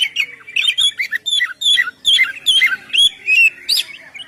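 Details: Lively ngeplong song of an oriental magpie-robin, sung to lure birds: a steady stream of clear whistled and slurred notes, each swooping down, about two or three a second, rich and varied.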